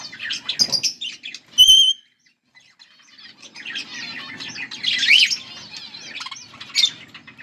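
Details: Budgerigar pair calling: quick chirps, a clear whistled note, a short silence, then rising chatter of squeaky twitters and sharp calls.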